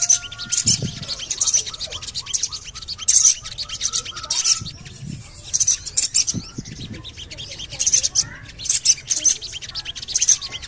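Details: Javan cochoa call used as a lure so that birds begin singing. Rasping, very high chirp bursts come roughly every second, with short low thumps and faint background whistles.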